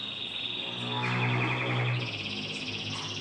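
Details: Domestic canary, caged indoors: continuous rapid high trilling that shifts up in pitch midway, with a steady low humming tone underneath.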